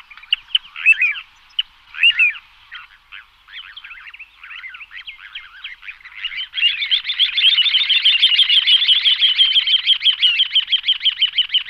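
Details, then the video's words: Little ringed plover used as a decoy: scattered short whistled notes at first, then a loud, fast rattling trill of high notes running continuously for several seconds. "Chamariz, Señuelo, Borrelho Pequeno de Coleira, Charadrius Dubius, Chorlitejo Chico"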